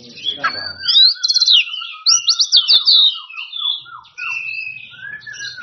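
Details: Oriental magpie-robin singing to call out rivals: bright rattling trills and whistles above a lower line of repeated falling slurred notes.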